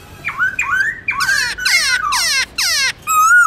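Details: A black-throated laughingthrush sings wild-type song in the morning, with rich rising whistles, then several quick harsh buzzy squawking phrases, ending on a clear sliding whistle. The recording is meant for young birds to learn from.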